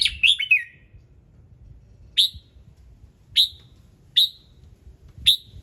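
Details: Morning song of a red-whiskered bulbul, played to set other birds singing: a quick warbled phrase of several descending notes, then a series of evenly spaced sharp chips about a second apart.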